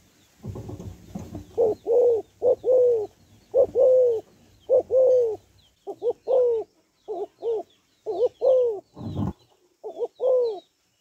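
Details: Spotted dove hen calling to stir males: a long run of low coos, double wavering notes and sliding falling coos, nearly continuous. Rumbling noise comes early on and a sharp thump occurs near the end.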